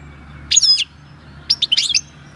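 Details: European goldfinch taken from the wild at El Paso in 2018, heard 22 March 2020 giving its own wild-type song: a sliding liquid twitter, a pause, then a jumbled cluster of high chirps.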